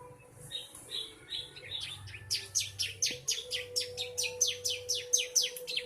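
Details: A three-month-old captive bar-winged prinia gives soft twittering, then a rapid run of sharp, very high notes that sweep downward, about two or three a second, over a faint steady hum.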